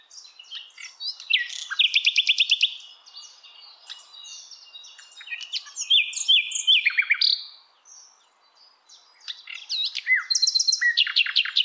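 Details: Hill blue flycatcher singing in the wild: fast trilled runs of identical high notes alternate with rich warbled whistles and sweeping slurs, with a brief pause between phrases.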